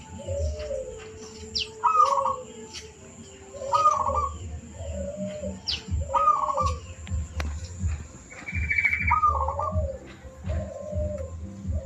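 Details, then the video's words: Zebra dove master recording used to train other birds, a rhythmic phrase of soft, rolling mid-pitched coos repeated roughly every two seconds, with occasional higher thin chirps from other birds and a low background rumble. "Pancingan perkutut gacor"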